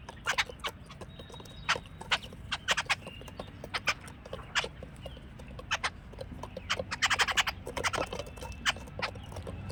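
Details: Jungle babblers keep up a busy chatter of rapid, rasping broadband notes, bunched into dense squeaky bursts midway through.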